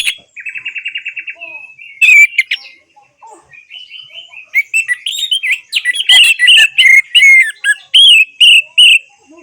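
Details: Orange-headed thrush song, played as therapy to get silent birds singing again. A quick buzzy trill of repeated notes opens, then loud, varied whistled and chattering phrases follow in a dense run from about two seconds on.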